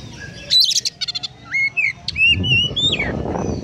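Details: Oriental magpie-robin in lively song, mixing in mimicked house sparrow notes: a quick series of rapid chattering bursts, then clear rising and falling whistled phrases, over low background rumble.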